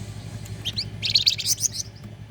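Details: Flame-breasted flowerpecker in full song, a bird used as a lure for training contest songbirds: a burst of high, thin, rapid chirps and twittering trills, loudest in the middle, over a low steady hum.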